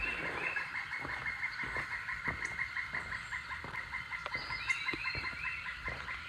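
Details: A pileated woodpecker gives a fast run of loud, ringing notes during a rainy spell, with rain pattering and dripping throughout.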